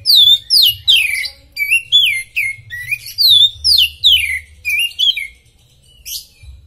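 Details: Masteran song from a superfit Oriental magpie-robin (kacer): a fast series of bright whistled phrases with descending slides and clipped high notes, fading into near silence with one final sharp note.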